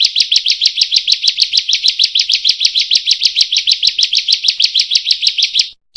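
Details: Long 'roll' singing of the bar-winged prinia, locally prenjak or ciblek: an unbroken rapid series of sharp, high chirps for over five seconds before a sudden cut.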